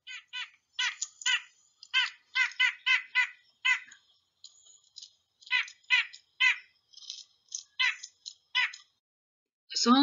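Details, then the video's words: A White-breasted Nuthatch in the woods giving nasal, tooting 'yank' notes, about two per second in uneven runs with brief pauses; a louder voice-like sound cuts in at the end. "If you've ever been walking in the woods, you've heard this bird before, the white-breasted nuthatch."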